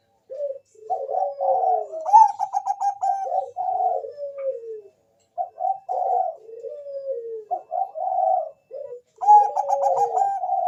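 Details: Singing Bangkok-type zebra dove serving as a lure for other doves: repeated phrases of stuttering trilled notes alternating with long falling coos, steady and continuous throughout.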